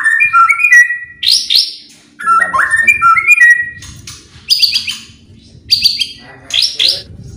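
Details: Song of a white-rumped shama played to stir other birds into singing: clear whistled notes answered by rising rapid trills, phrases repeated in bursts with short pauses.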